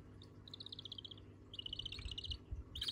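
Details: Budgerigar chicks begging food from one another: quick high chattering notes in three short runs, over low background rumble.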